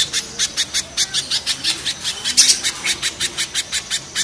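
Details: Spiderhunter, from a comparison of mountain and banana spiderhunters, in rough, harsh song. Bright high chips repeat regularly at about four per second, steady and unbroken, with no other clear sounds.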